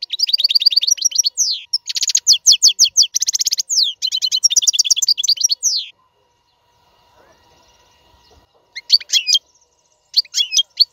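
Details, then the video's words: Free-living royal European goldfinch in full song, used to teach caged fledglings: about six seconds of fast repeated chirps and trilled twitter, a quiet gap, then more short high phrases. "اقوى تغريد الحسون. لتعليم فراخ القفص"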